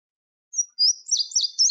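Indigo Bunting song: high, bright, sweet notes delivered in quick paired phrases, each note repeated twice, in a clean recording.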